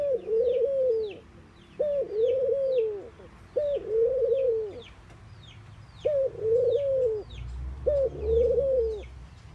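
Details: Mourning doves cooing: soft, low hooting phrases, each a short rising note followed by a long wavering moan, repeated every two seconds or so, five phrases in all, with thin high chirps of small birds in the background.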